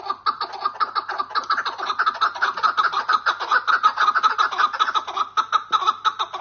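Chukar partridge giving a fast, steady run of harsh clucking notes, nearly two per second, building into a continuous chattering series.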